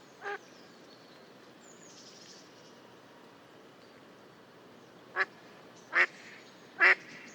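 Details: Single quack from a wild mallard, then a long quiet gap before three quick harsh quacks in succession, growing louder; faint high bird notes drift in the background.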